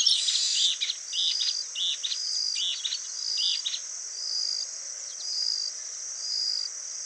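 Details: Yellow-bellied elaenia in Itatiba, São Paulo, Brazil, on 31 December 2016 at 10:15, giving harsh, burry notes in quick bursts, about two a second, over a steady high insect drone.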